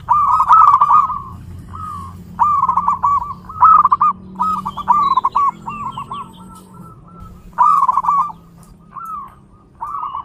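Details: Zebra dove giving stuttering coo phrases in bursts, several quick notes per phrase with pauses between, a few faint high chirps in the middle and a low hum beneath.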